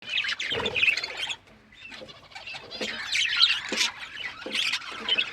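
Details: Pet budgerigars chirping: dense, scratchy warbling chatter with quick high chirps and squeaks, a brief quieter pause after the first second before the busy twittering resumes.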